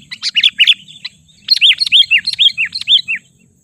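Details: Lure recording of a sooty-headed bulbul intended to provoke wild birds: two lively runs of clear, downslurred chirps in quick succession over a faint low rumble.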